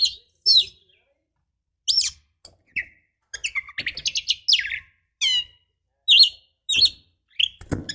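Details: Female Oriental magpie-robin calling to provoke caged males into singing: short, scattered bursts of sharp chirps and buzzy, downslurred notes separated by brief silences.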